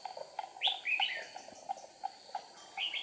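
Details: Decoy red-whiskered bulbul in a trap, 8 April 2019, flicking wings and tail: a couple of sliding, whistled notes near the start and a brief phrase at the end, with soft clicks and a steady hum.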